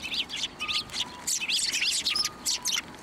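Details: Hand-fed sparrows at a Tenmangu shrine on 1 January 2024 chatter loudly: dense, overlapping high chirps in quick bursts almost without pause, a low repeating tone faintly audible underneath.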